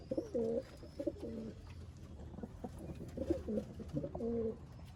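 Pigeons give low, throaty coos in repeated rolling phrases.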